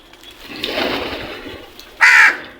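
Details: Crow in the morning giving one loud, harsh caw near the end, after a stretch of soft broadband background rumble.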